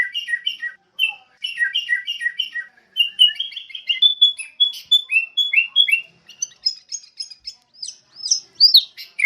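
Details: Sooty-headed bulbul singing a lively run of repeated chirps that turns into rising and falling whistled slurs, the notes rapid and clear against a silent background.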